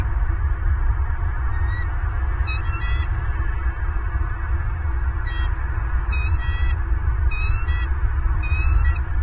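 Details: Bald eagles recorded by a nest camera in Southwest Florida on 28 December 2022: scattered bursts of high, thin, stuttering piping notes over a constant loud low rumble of wind or equipment hum.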